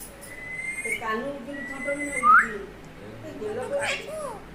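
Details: Pet parrot talking; clear whistled tones, one sliding upward, mixed with short speech-like syllables, a few phrases over several seconds in a quiet room.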